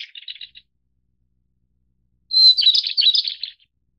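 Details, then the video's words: White-browed Shortwing (Brachypteryx montana goodfellowi, Taiwan-endemic subspecies of mid-to-high mountains) gives a quick run of high chips, then after a pause a bright, jumbled warbling phrase of about a second, high-pitched throughout. "小翼鶇/White-browed Shortwing"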